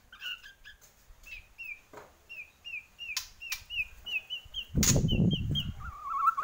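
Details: White-rumped shama from Borneo singing a fast series of identical rising whistled notes, about three per second, interrupted by sharp clicks and a rustling burst, ending on lower whistles.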